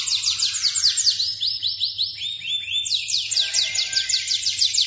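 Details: F2 Yorkshire canary in lively full song: rapid, bright rolling trills and sweeping whistled phrases that run together without pause, shifting from fast descending notes to a lower, slower series and back to quick high trills.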